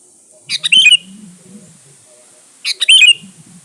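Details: Lively song of a sooty-headed bulbul meant to lure and challenge rival birds: two brisk phrases of clipped chirps ending in a ringing whistle, about two seconds apart, over a low murmuring hum.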